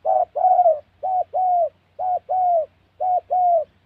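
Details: In wild forest of Gia Lai, Central Highlands, Vietnam, during trapping, a spotted dove gives four crisp coo pairs, a clipped opening note and a longer falling note, about one per second, over a soft low hum.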